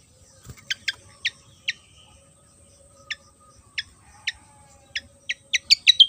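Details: Javan fantail sings an uneven string of sharp, high, clear notes. They come irregularly at first, then speed up into a quick closing run, over soft background hiss.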